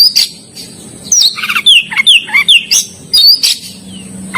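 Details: Oriental magpie-robin in lively song, mixing high thin whistles with lower fluty slurred notes in quick bursts, separated by short quiet gaps and a faint low hum behind.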